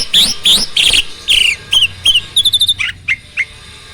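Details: Starling singing, used as a training recording to goad other birds into song; rough buzzy notes, then clear whistles, a quick trill and sharp falling chips.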